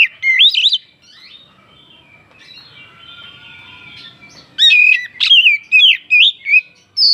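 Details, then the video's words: Kacer (oriental magpie-robin) song intended to provoke other birds: a brief whistled burst, a few seconds of faint soft notes, then a lively string of loud sliding whistles and sharp chirps. "Pancingan burung kacer naikan emosi"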